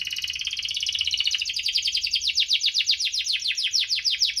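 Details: Lively canary song in 'cuit-cuit ngerol' style, played to coax lazy canaries into singing: a fast, buzzy, high trill that starts dense and smooth, then breaks into distinct rapid repeated falling notes, several per second, with no other sounds.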